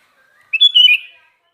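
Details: Sooty-headed bulbul singing actively: one short, bubbly phrase of bright chirped notes rising and falling, lasting under a second, with silence before and after.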